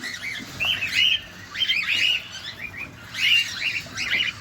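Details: Cockatiels recorded close up at feeding time give clustered chirps and bent whistled notes, three bursts of rapid, slurred calls separated by brief quieter gaps.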